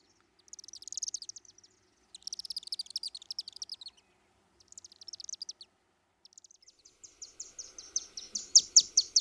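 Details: Chimney Swifts in flight over downtown Osakis, Minnesota, on June 12: high, dry chittering bursts in three quick spurts separated by short pauses, then a run of sharp chips that speeds up and grows louder.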